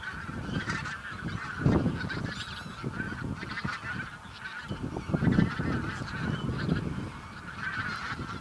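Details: Several thousand Bean Geese in a field on Texel, Holland, on 22 November 2014, half of them flying off; dense overlapping honking of a large flock, a constant nasal chorus with louder bursts, plus low rumbling noise.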